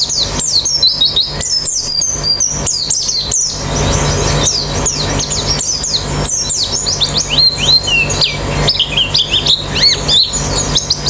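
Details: Rapid white-eye twittering, meant to make birds sing fast with open beaks: dense high chirps and slurred notes with busy bursts at the start and end, over low hum and hiss.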